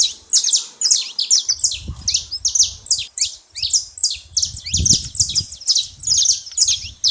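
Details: Saffron finch making a lot of noise at a feeding spot: dense, rapid, high chirps tumbling over one another almost without pause, with a soft low rumble beneath at times.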